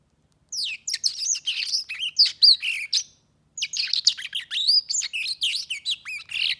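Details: Black-throated canary singing in two bursts of rapid, varied high chirps, trills and slurred whistles, separated by a brief pause near the middle; background otherwise quiet.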